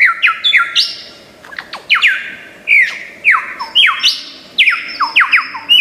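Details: Australian lyrebird, famed for copying other sounds, pouring out loud repeated downward-slurred whistles in quick succession, interspersed with clicks and squeaky chirps, the phrases tumbling over one another with hardly a pause.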